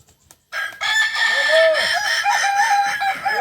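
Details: Ornamental Kukuak Balenggek rooster of Solok, West Sumatra, at a joint training contest; after a short silence a loud, strongly harmonic crow starts with a long arched note, then continues in quick wavering steps.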